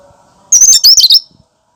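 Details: Natural cucak kinoi song, no mimicked phrases, used as a lure for other birds: a single loud, high, rapid chattering phrase of about seven quick notes, with a faint hum before it.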